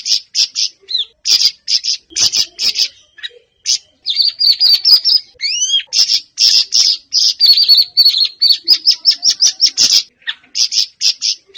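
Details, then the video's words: Siri-siri bird singing, used as a lure recording to get captive birds to open their beaks and sing often: dense, high chirping bursts and fast trills, with a few rising and falling whistled slurs, repeated almost without pause. "Burung Siri Siri bakal buka paruh dan gacor"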